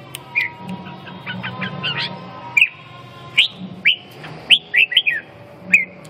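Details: Red-whiskered bulbul giving short, bright whistled notes that slur down, spaced irregularly about once a second, with sharp clicks and a faint low hum behind.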